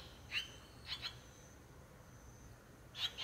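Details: Barn swallow nestlings, six in a nest at a country house doorway on day 18 after hatching, give short high squeaky chirps in brief doubled bursts separated by quiet gaps, over a low steady background hum.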